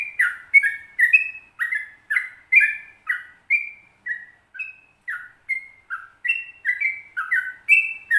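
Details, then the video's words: Yellow-vented bulbul pouring out a bubbly series of clear whistled notes that rise and fall, about two per second, evenly paced over several seconds; a training recording for caged birds, 'ropel panjang' song. "Trucukan Ropel Panjang Gacor"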